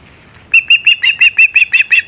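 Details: Osprey at the Hog Island nest on 17 July 2020, when a shad is brought in: after half a second of quiet, a quick run of about nine short, sharp whistled chirps, evenly spaced.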